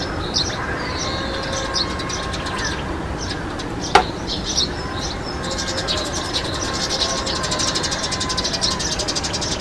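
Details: European serin delivering fast, high, tinkling trills that grow denser and more rapid toward the end, with a single sharp click midway and low steady background noise.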